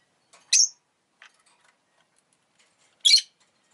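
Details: Pet rosy-faced lovebird uttering a pair of sharp, shrill chirps roughly two and a half seconds apart, with a faint tick in between and quiet surroundings.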